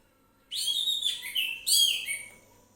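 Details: Orange-headed thrush singing in the relaxed, full-voiced 'ngeplong' style: two rich whistled phrases with rapid warbling slides between high and mid pitches, the second phrase louder and then fading.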